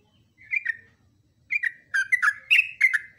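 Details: Yellow-vented bulbul song kept as a long training recording: bursts of rich, bubbling whistled notes around the middle pitch range, a short phrase, a pause, then a quicker run of several linked notes.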